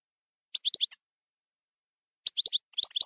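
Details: European goldfinch in campero (field) song style: two short clusters of quick, high chirps about two seconds apart, the second running straight into livelier twittering.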